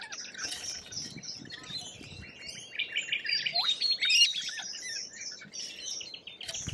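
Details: Shrill, rasping lorikeet calls from Australia overlap in quick, uneven bursts, with one loud upward-sweeping screech near the middle.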